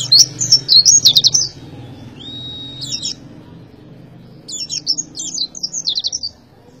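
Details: Oriental white-eye in tembakan song, opening with a rapid run of high, trilling chirps, then a thin sustained whistle, a few scattered notes, and another quick burst of bright twittering against a low rumble.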